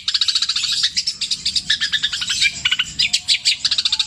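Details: Long-tailed shrike, a Javan kept bird, in a long repeated imitation medley of kuntilanak, tengkek buto and sparrow songs: a nonstop stream of high, scratchy, stuttering notes, quick and uneven, with no pauses.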